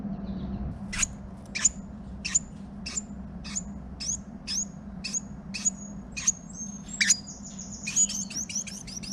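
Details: Female Carolina Wren calling to her mate while the pair build a nest of leaves, moss, straw grass and spider webs inside a garage; a series of sharp high chip notes, about one per half second, over a steady low hum.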